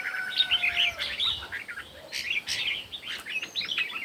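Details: Morning competition song of red-whiskered bulbuls, rapid bright chirping and slurred whistles in tumbling sequences, with a thin higher whistle now and then and a faint background hiss.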